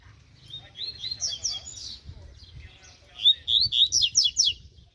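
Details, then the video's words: Double-collared seedeater, a mutant colour form described as spirited, singing in a training session: two bursts of bright, chattering phrases, the second louder, with fast repeated downslurred notes and a low background rumble. "COLEIRO MUTANTE UM TREINO"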